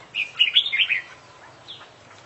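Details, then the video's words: Champion oriental magpie-robin (kacer) singing full isian gacor: a brief rapid warbled phrase of tumbling high notes, followed by a single soft slurred note. "Full Isian Juara Internasional Burung KACER Gacor"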